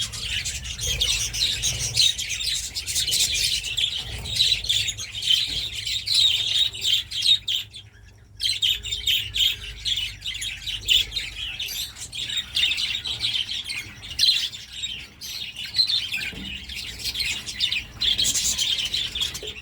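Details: Several breeding budgerigars, kept with eggs and young chicks, chatter nonstop in a dense stream of high, scratchy warbles and chirps.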